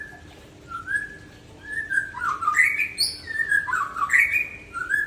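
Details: White-rumped shama in relaxed dusk song, a varied run of clear whistles that rise and fall, broken by quick warbled flourishes and a few higher piping notes, with a faint steady hum behind.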